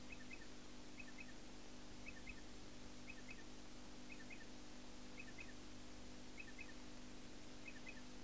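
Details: A striated pardalote at Eulo, southwest Queensland, in April 1995 repeats a crisp two-note chip about once a second, faint against a steady low rumble of distant traffic or wind.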